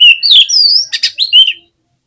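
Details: Oriental magpie-robin singing in an agitated way to rile other birds: a loud sliding whistle, a long clear falling note, two harsh buzzy bursts, then one more short whistle, all high-pitched and close.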